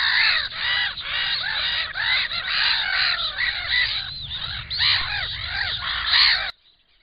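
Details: Black-winged stilts at their nest with an enlarged clutch give a dense stream of loud, sharp, nasal yelping calls from several birds, ending abruptly in near silence.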